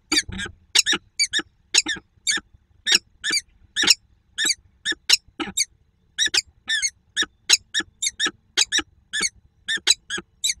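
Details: Female peregrine falcon quacking in Słupsk on 2 June 2022 during an almost silent encounter: long, steady run of clipped, raspy notes repeated roughly twice a second over a quiet background.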